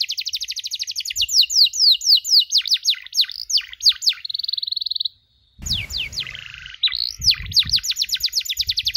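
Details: Canary on a recording for teaching other canaries to chirp: loud regularly pulsed down-slurred whistles, a flat buzzy stretch, a short silence, then hissy noise and renewed sweeping notes with low bumps.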